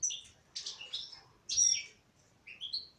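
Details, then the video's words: Song of a female European goldfinch: quick bursts of buzzy, tinkling twitters with brief gaps, ending in rising whistled notes. "تغريد انثى حسون"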